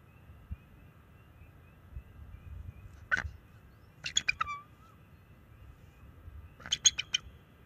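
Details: Young male bald eagle on a nest cam, March 7, 2024, using calls against an intruding owl: one sharp note, then two quick bursts of high chittering squeals a few seconds apart.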